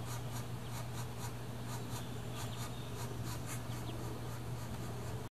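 Northern flicker nestlings give a buzzy, hissing chatter that pulses about three times a second, over a steady low hum.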